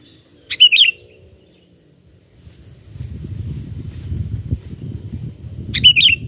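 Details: Sooty-headed bulbul song played to lure birds for catching: a bubbly chirping phrase, a quiet gap with rising low rumble, then the same quick liquid phrase repeated about five seconds later.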